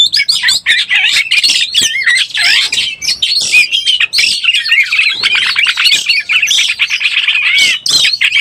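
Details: Oriental magpie-robin in breeding condition, a lure recording: a dense, continuous stream of varied whistles, chirps and rapid warbled phrases, high and mostly unbroken, with sharp clicks and slurred notes packed throughout.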